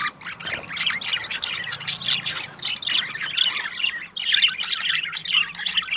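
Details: A pairing budgerigar couple, yellow male and blue female, looking for a nest, keeps up a steady, busy chatter of scratchy warbles and sharp high chirps, several birds overlapping without pause.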